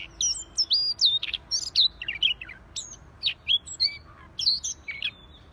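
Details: Siberian rubythroat singing actively: a fast, varied run of clear whistled notes, some rising and falling, others sharp and high, in short bursts separated by brief pauses, with a quiet background.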